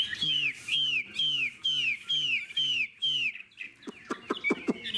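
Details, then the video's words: A well-tempered caged hwamei with a spread tail gives a run of about seven loud, downslurred whistles, roughly two per second, each over a low tonal undertone, then breaks into rapid sharp clicking notes. "Họa mi đuôi xòe, thái độ tốt, giọng hay"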